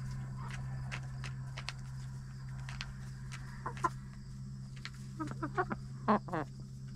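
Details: Backyard hens inside their coop during the last half hour before roosting at night. Soft, low clucks come in short bursts, clustering toward the end with several quick stacked clucks. A steady low electrical hum runs underneath.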